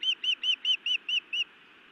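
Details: Female osprey at a Montana nest scolding her mate, then biting him, on 31 May 2017 around 19:49: seven clear whistled chirps, each rising then falling, evenly spaced about every fifth of a second.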